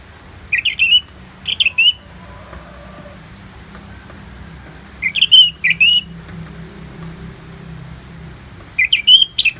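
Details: Orange-headed thrush (Anis Merah) song for bird therapy, from Bali: short bursts of loud whistled, warbled notes in three phrases separated by pauses, over a soft low background hum.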